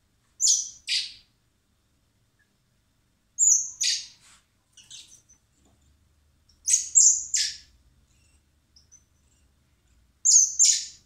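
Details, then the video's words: Hand-fed common blackbird nestlings at a wildlife rescue centre in spring, awaiting release, beg in bouts roughly every three seconds: each bout is a shrill high squeak plus one or two loud raspy, broadband chirps. "Cebando a los polluelos de mirlo común (Turdus merula)"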